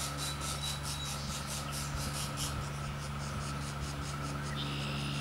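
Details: Three young pileated woodpeckers (Dryocopus pileatus) at the nest, fed by their parents, give begging calls: a dry, raspy hiss in quick pulses, about four or five each second, over a steady low mechanical hum.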